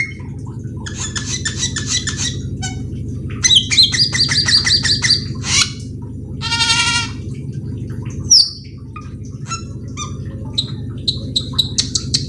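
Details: Black-winged myna singing a jumbled sequence of harsh rasps, nasal harmonic notes, whistles and clicks over twelve seconds, with a constant low hum in the background.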